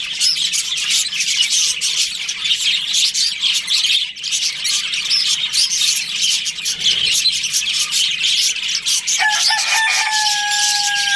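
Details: Budgerigars in a breeding colony during breeding season, a dense, continuous mass of high, scratchy chirps and twitters from many birds, with a clear steady whistled tone with a higher overtone entering near the end.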